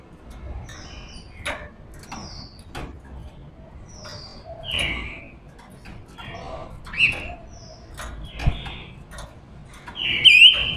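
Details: Female silver-eared mesia singing to lure wild males: scattered short chirps and brief whistles, ending in a louder run of looping whistled notes, with faint clicks and background noise.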